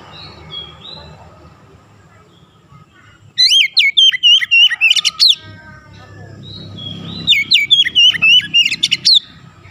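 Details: Oriental magpie-robin singing a rapid, tightly fired rolling phrase for bird therapy: chains of sharp upslurred whistles with ticking notes, two loud bursts over low background rumble.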